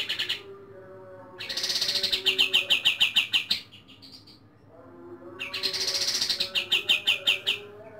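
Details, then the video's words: White-rumped shama at dawn giving its rapid-fire song: two bursts of about ten fast, loud, clipped notes, each burst swelling then fading, separated by a short pause, over a faint steady low tone. "Tembakan KaTem di Subuh hari"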